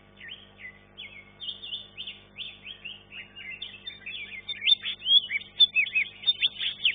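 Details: Caged green leafbird in a class-one singing contest, placed third: rapid, varied whistled and chattering phrases, sweeping up and down, louder and denser toward the end, with a faint steady hum behind.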